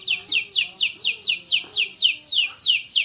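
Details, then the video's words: Champion Oriental magpie-robin producing rapid shooting bursts: a tight string of identical high notes sliding steeply downward, repeated evenly about four times a second, with faint lower chirps beneath. "KACER JUARA SUARA TEMBAKAN !!! BURUNG KACER NEMBAK SPEED RAPAT"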